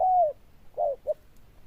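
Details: Zebra dove cooing loudly: a smooth gliding note falling from about mid pitch, then two shorter coos after a brief gap.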